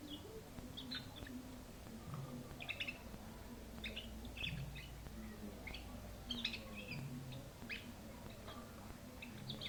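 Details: A canary sings, giving scattered short, high chirps and brief twittering bursts rather than a full rolling song, over a steady low hum.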